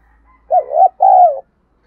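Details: Spotted dove giving a luring call to wild doves, a pair of hollow coos: a rising-falling first note and a sustained, gently descending second note.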